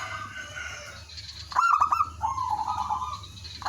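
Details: Local zebra dove in lively song used to lure other doves: soft distant coos, then a loud clipped run of notes into a trill, followed by a lower, longer purring coo.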